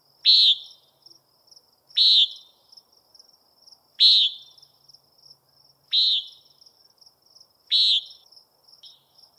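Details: Common nighthawk calling repeatedly: five harsh, buzzy peent notes spaced about two seconds apart, sharp onsets and quick fades, against a constant faint high-pitched insect-like drone and otherwise still surroundings.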